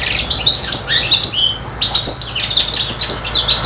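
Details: Goldfinch imitation by a serin crossed with a bronze canary, five months old: bright, fast twittering with whistled slurs and buzzy chattered notes delivered nonstop.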